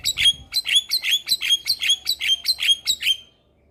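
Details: Black-winged myna song meant as tutor material to prompt silent mynas into singing: about eleven loud, harsh, high chirps in a steady rhythmic series, roughly three per second, ending abruptly.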